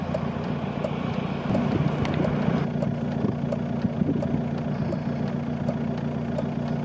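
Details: An idling vehicle engine rumbles low throughout, with regular mechanical ticking and no animal voices.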